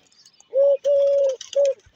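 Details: A pigeon in a loft where every nest box holds eggs and chicks gives three steady, hollow humming coos, the middle one longest, over about a second and a half, with faint clatter in the background.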